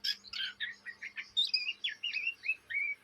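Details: Juvenile Oriental magpie-robin in Indonesia chattering ngriwik style day and night; brief burst of raspy notes then a string of clear upslurred and downslurred whistles, evenly spaced, over a low hum.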